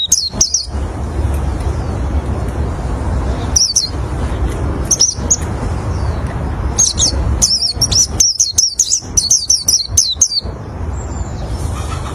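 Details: Oriental white-eye song used to lure other white-eyes: scattered bursts of high, thin chirps and twittering notes, dense around eight to ten seconds, over a steady low rumble of background noise.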